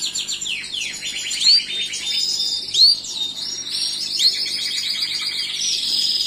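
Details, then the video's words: Gloster canary song of steady rolling trills punctuated by sharp upward-flicking whistled notes roughly every one and a half seconds. "تغريد كناري جلوستر"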